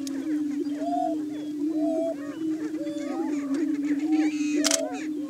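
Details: Lekking Greater Prairie Chickens in Washington County, Kansas, calling through a spring morning courtship display. An unbroken low moaning drone carries arched, whooping calls repeated about once a second from multiple males.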